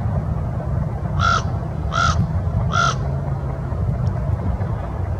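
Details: A Common Raven at Union Ship Canal gives three harsh, hoarse calls about a second apart over a steady low rumble of traffic or wind.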